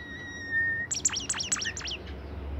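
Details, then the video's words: Caged bimoli bird in active song. A thin steady whistle breaks into a burst of very high, rapid chipping notes, each sharply dropping in pitch. "fuul gacor burung bimoli"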